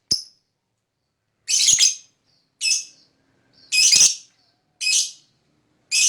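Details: Lovebird fighter, used as a lure to provoke other lovebirds into answering with their chattering ngekek: harsh, high, raspy screeching bursts, each about half a second long, separated by gaps of silence.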